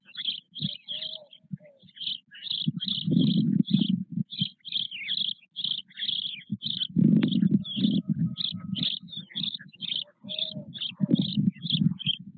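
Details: At Nové Mlýny on 8 May 2024, a father white stork with four nearly equal-sized chicks in the nest. Low droning, pulsed buzzing swells and fades repeatedly under a steady stream of quick high chirps from small birds.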